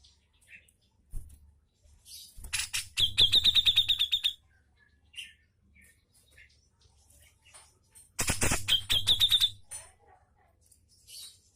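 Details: Brown-cheeked bulbul singing to coax lazy birds: scattered high chirps, then two bursts of harsh noise each leading into a fast train of piercing repeated notes, with soft calls between.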